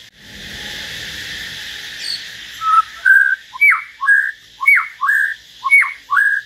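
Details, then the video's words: Common hill myna singing solo alongside a white-rumped shama: after a noisy start, a loud whistled phrase of a sharp falling note and a rising-then-level note repeats about once a second. "Chim nhồng và choè lửa hót solo"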